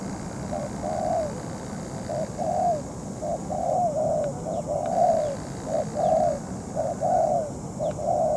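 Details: Spotted dove decoy used to trap wild doves, still calling while moulting; a steady series of low, hollow coo notes, short and long alternating, with faint high chirps behind.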